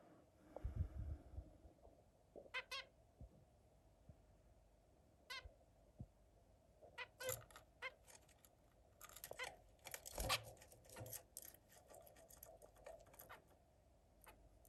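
A zebra finch sings quick, buzzy, nasal syllables in short bursts.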